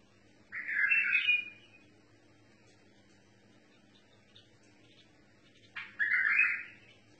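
Bulbul giving two short, rich warbled phrases several seconds apart, bubbly and mid-pitched, over a faint low hum.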